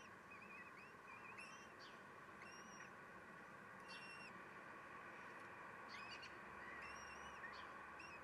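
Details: Common kestrels at a nest with chicks in May, during a 12:45 feeding in which the male steals food, give thin, high, whining calls in brief bursts every second or two over a steady rushing noise.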